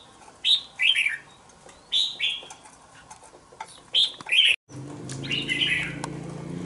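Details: Young red-whiskered bulbul, two months old and caged in a bổi-style cage, repeats short paired warbling phrases roughly once a second, then a softer phrase over a sudden low humming background noise.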